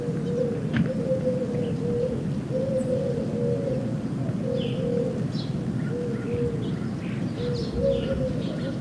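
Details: Eurasian collared dove, an invasive species established in Nebraska and likened to a crow in sound, gives low, hollow coos in short repeated phrases about every second, with faint chirps from other birds and a steady background hiss.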